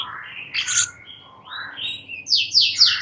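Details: Sooty-headed bulbul (cucak cungkok) song used as a training master for Oriental magpie-robins to widen their repertoire: short gliding whistled notes in mid pitch, a few brighter squeaky phrases, then three high buzzy notes at the end over a faint low hum.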